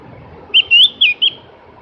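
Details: Melodious song of a Javan grey-throated white-eye (cak gentong): four clear high whistles, a short note, a longer sliding whistle, a falling note and a brief closing chirp, delivered quickly against a quiet background.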